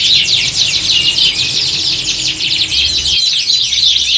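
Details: Canary squad singing as at a competition stand, meant to toughen birds for contests; busy high-pitched twittering and quick trilled runs from many birds overlap constantly, a few clear whistled notes standing out, faint low background hum.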